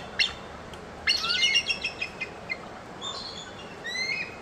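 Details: Female bald eagle giving a sharp squeak, then a rapid, high chittering series that trails off into softer separate notes, followed by thin whistled cries near the end.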